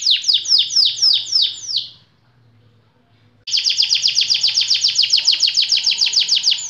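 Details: White canary in long continuous song: quick descending chirps, a short pause of silence, then a fast, even run of bright repeated notes several per second.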